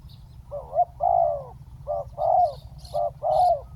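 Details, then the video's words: Decoy spotted dove on the ground calling to bring a wild bird down, repeating three short-then-long coo phrases in steady rhythm, the long notes full and gently falling, with faint low rumble. "เสียงนกเขาใหญ่ ต่อ นกเขาใหญ่"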